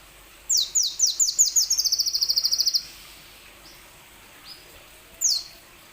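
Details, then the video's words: Plain sunbird song meant to get other sunbirds singing: a handful of high, descending chirps that speed up into a rapid trill lasting about a second, then silence and one final sweeping chirp. "Kicau burung kolibri wulung"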